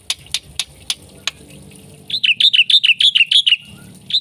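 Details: Jalak putih, the black-winged myna, singing gacor with full isian: a few scattered sharp clicks open, then a quick, even series of high, bouncing chirped notes, each rising and falling.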